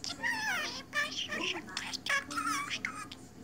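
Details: Indoor pet budgerigar lost in its own world, giving throaty, speech-like warbled phrases with sliding tones in quick succession over a faint steady hum.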